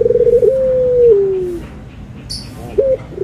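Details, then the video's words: White or brown dove cooing: a pulsing opening, then a long, smooth, low note that slowly falls. After a short pause a brief coo follows, with a soft rustle before it. "PERBEDAAN SUARA ANGGUNGAN BURUNG PUTER PUTIH DENGAN PUTER COKLAT"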